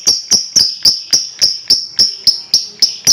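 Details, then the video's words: Lovebird singing gacor-style to stimulate other birds: a steady, fast train of sharp ticking clicks, roughly three or four per second, each carrying a bright high ringing tone, loud and even throughout. "TERAPI JITU BUAT LOVEBIRD,Ngekek dan Gacor Lanjut burung lain dengar ikut gacor dan ngekek"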